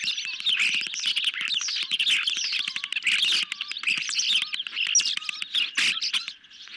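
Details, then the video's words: Hungry ospreys on a nest camera receiving a medium-sized fish on a July 2021 evening; busy high-pitched chirping and wavering whistles, a few brief level tones, and repeated sharp crackles, fading near the end. "Medium size fish for hungry Ospreys, tonight"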